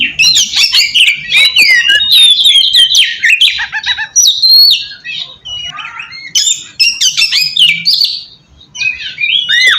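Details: Lure song of an oriental magpie-robin meant to draw answering birds: quick bursts of chattering, slurred whistles and harsh notes, with short lulls between phrases and a final sweeping whistle.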